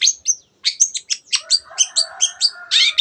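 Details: Vigorous 'teot teot' singing of a long-tailed shrike, played to stir other birds to sing; quick run of bright whistled and buzzy notes about five per second, with a faint low hum under the later notes.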